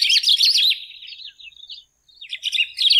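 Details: Golden-billed saltator gives a busy burst of rapid slurred chirps that tails off into soft notes. After a short gap, the twittering warble resumes.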